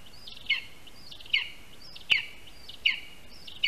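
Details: Lesser spotted eagle at a nest in a spruce in Latvia, August 2021, while a rat is brought as prey; four high, sliding yelps spaced under a second apart over steady broadband hiss.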